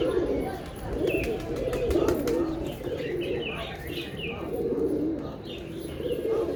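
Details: Continuous low pigeon cooing, several birds' throaty rolling notes overlapping, while brief high chirps flicker over the top.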